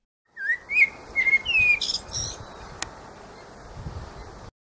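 A blackbird sings a short phrase of mellow, rising whistled notes that break into a squeaky, high twitter, over a faint background hiss.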